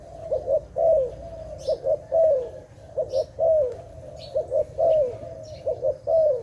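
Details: Repeated low cooing from a dove in a trapping context: quick double coos then a drawn-out downslurred coo, cycling regularly, with scattered faint high chirps of other birds.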